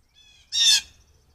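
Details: A single blue jay call near a deck where jays come in for peanuts, caught by a trail camera: one loud, harsh, rasping note lasting about a quarter second over a faint low hum.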